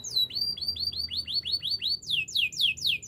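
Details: Repeated falling whistled slurs from a Spanish Timbrado canary, about eight even notes followed by a faster series of steeper, higher sweeps, sung as training material.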